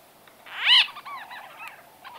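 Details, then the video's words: White-fronted bee-eater conversation recorded at medium close to close range: one loud, squelchy, arched call rising and falling, followed by softer overlapping chatter from other birds in the background. "White-Fronted Bee-Eater. NB: Exact Date Of Recording Not Known. MCU-CU Conversa"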